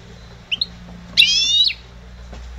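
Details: Goldfinch hybrid from 2011, trained to sing: two brief high chirps, then a half-second dry buzzing trill. A constant low hum runs underneath.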